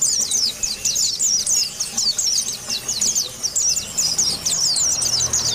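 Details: Rival-challenging white-eye song, rapid runs of very high twittering slurred notes in dense bursts, with a faint steady background hum.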